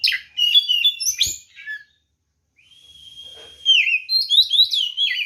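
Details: Provoking fighting song of a white-rumped shama used to stir other birds: sharp varied chirps, then a long level whistle that slides down, followed by quick bright twittering notes.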